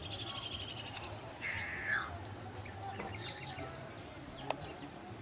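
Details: Marico sunbird in Gisenyi, Rwanda, March 2013: sharp, very high chips and a short, slurred, falling twitter, spaced irregularly over a low background hum.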